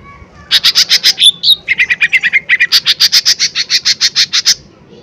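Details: Lesser green leafbird in full voice, played to provoke other birds: fast high chips, a squeaky whistled insertion, a run of slightly lower buzzy notes, then a long rapid burst of sharp chips.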